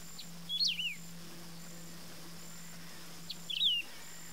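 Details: Wedge-tailed grass-finch repeating its song twice about three seconds apart, each a quick high whistled phrase tumbling downward, with a steady low hum behind.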